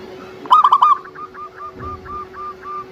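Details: Local zebra dove, a lure bird for triggering other doves to sing; one loud rolling cooing burst, then a series of soft, evenly spaced short coos over a steady low hum.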